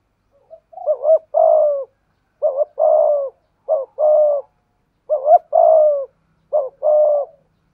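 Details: Spotted dove, Malaysian strain, cooing in the thúc gù manner. A wavering double note is followed by a long coo that slides slightly downward, repeated about five times at even intervals.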